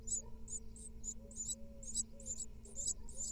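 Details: Israeli nest-cam great tit chicks, second brood of 2022, being fed by their mother: clustered high-pitched squeaky begging notes, about two per second, with a constant low hum underneath.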